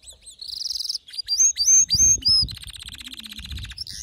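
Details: Agitated male canary in full song. A brief high trill leads into a run of sharp, upslurred whistled notes, then a rapid, even, buzzing trill of repeated notes.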